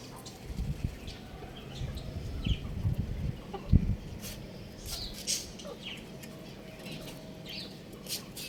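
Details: Young rooster playing on a roof makes scattered short clucks and chirps, with sharp scratchy bursts and a low rumbling background underneath.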